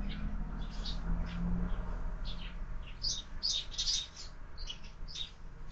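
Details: Sparrows breakfasting at a window-mounted feeder: irregular high chirps, roughly two per second, building into a louder cluster midway before thinning out, over faint low rumble.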